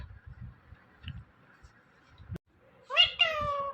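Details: Quiet room noise and a click, then a talking parrot says "Mithu" in two loud, nasal, harmonic syllables near the end.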